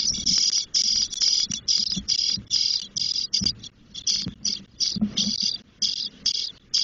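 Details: Nest of Spotless starling chicks, ten days old, in Doñana National Park, Spain, begging as the female visits: rapid chain of raspy, hissing bursts, high-pitched and noisy, repeated about twice a second with short pauses.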